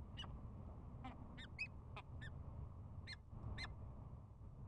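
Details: Peregrine falcons on a nest camera in spring, courtship bowing and chupping: short sharp chupping notes, seven or eight scattered through the stretch, over a steady low rumble of wind or traffic.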